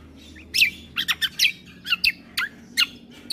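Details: Bulbul combo recording intended to excite listening birds: loud, sharp chirps and downslurred notes, some doubled, coming irregularly about every quarter second.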